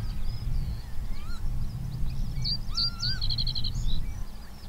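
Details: Singing male Common Reed Bunting in reed beds at Higham Marshes, Kent, Southeast England; a short, jolly phrase of thin notes ending in a fast repeated trill of about five notes, with other birds calling around and a low wind rumble.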